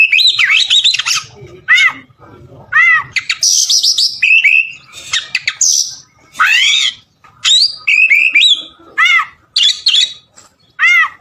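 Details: Energetic oriental magpie-robin song recorded in Palembang: rich run of loud whistles, buzzy high notes and repeated arched chirps, delivered in bursts about every second with brief gaps.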